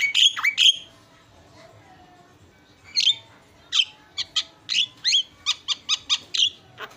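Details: Javan myna isian song opening with a few loud squawks, a pause, then a quickening string of short sharp chirps spaced under half a second apart.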